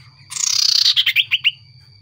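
Common iora: a dry, buzzy half-second trill, then four or five quick slurred whistles, each dropping in pitch. A faint steady high tone and low hum run underneath.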